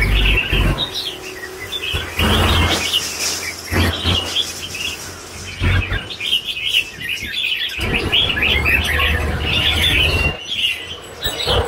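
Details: Red-whiskered bulbul in lân bổi già singing style: a long, busy stream of rapid, varied chirps and trills, broken by low rumbling knocks.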